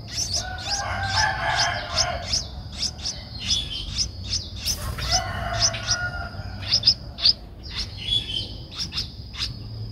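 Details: Streak-eared Bulbul chick, 11 days old, in Ubon Ratchathani, Thailand, on 13 April 2023: dense, excited volley of high squeaky chirps lasting several seconds, with occasional lower whistles and a brief rustle.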